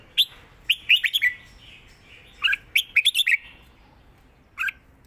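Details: Caged red-whiskered bulbul giving the clear southern Thai master song for training: lively clustered chirps and slurred whistles in two main bursts, ending with a single doubled note after a pause.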